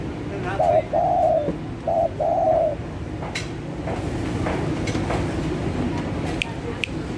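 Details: Spotted dove used to lure birds: one clear two-part cooing phrase, a short coo followed by a longer smooth coo, repeated once, then fading into low background hum with occasional clicks.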